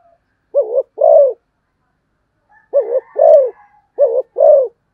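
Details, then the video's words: Spotted dove in fast thúc gù tốc độ cooing: three clean paired coos, each a quick dipping note followed by a fuller, falling hoot, separated by short pauses, with a faint higher whistle in the background. "cu gáy thúc gù tốc độ"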